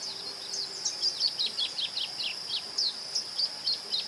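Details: A Masked Yellowthroat in Ouro Preto, Minas Gerais, Brazil, sings quick runs of short, high, slurred chirps in two bursts over a steady thin insect-like whine.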